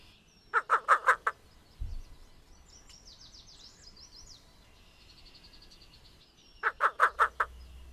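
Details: Least Bittern, world's smallest heron, recorded in Maine wetland; its cuckoo-like song here is two bursts of five quick, low, raspy coos, almost laugh-like, several seconds apart; faint higher chatter from other birds in between.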